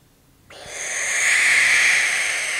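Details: Barn owl giving a sustained defensive hiss: after a brief quiet start, a harsh, breathy, noise-like rush begins abruptly and holds steady for about two seconds, strongest in two bright bands and fading only slightly at the end.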